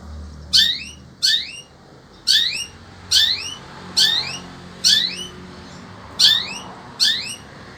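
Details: Sembur-type long-tailed shrike, caged in Indonesia and singing in great heat: squeaky, down-slurred double notes repeated at steady intervals of about one second, with faint low room noise.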